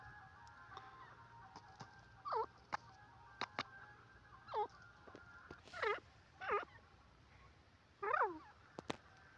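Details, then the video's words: Francolin giving spaced, sharply descending harmonic notes, about five over several seconds, against a steady low hum and faint background hiss. "teetar ki awaaz part 20 pheasant birds sound"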